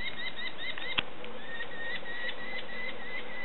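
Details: Begging calls of hungry young sparrowhawks at feeding time: quick high chirps in an uneven series, interrupted by a sharp knock near the start, over steady low rumble.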